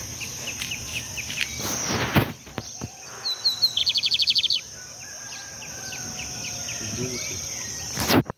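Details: Riverside lined seedeater song amid noisy background hiss and rustling, a short burst of rapid high trilled notes rising out near the middle, with faint chips around it.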